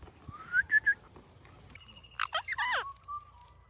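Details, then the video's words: Talking Indian ringneck parakeet: three short rising whistled notes, a pause, then a burst of harmonic, speech-like syllables that sweep up and down, ending in a thin steady whistle. "Funny Talking Ringneck Parrot"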